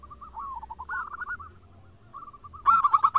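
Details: A zebra dove of a local strain answers another in a vigorous singing session. Soft, rolling coo phrases give way to a sudden loud, clipped burst of quick, bright notes.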